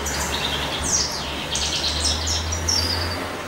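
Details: Male European goldfinch singing in spring, perhaps courting: a quick, liquid twitter of high, tinkling and buzzy notes in a steady stream, over a low background hum.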